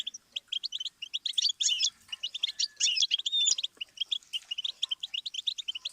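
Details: Lively goldfinch song, a stimulus for songbirds to learn from, made of rapid high chirps and rolling twitters with two dense buzzy passages and a few clear whistled slides.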